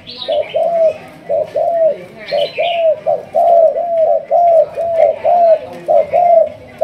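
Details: Decoy-trained spotted dove of a Malaysian thúc gù strain cooing fast: evenly spaced low, arched coo notes, about one per second, some doubled, with a few higher chirps from another bird in the background.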